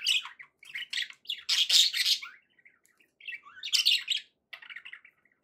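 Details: Pet budgerigar song in two loud rasping bursts with chirpy lead-ins and a softer twittering tail, pauses between, played to encourage a parrot to eat and sing.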